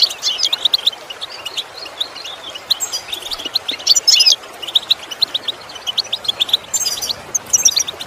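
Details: Goldfinch singing in a training recording for teaching birds to copy sounds: a steady stream of rapid high tinkling notes and brief buzzy trills, louder flurries near the middle and toward the end.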